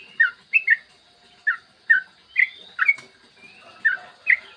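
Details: Yellow-vented bulbul singing clearly in the morning, used to prompt other bulbuls to sing. Sparse, separated liquid chirps come one or two at a time, with short gaps and some faint background hiss.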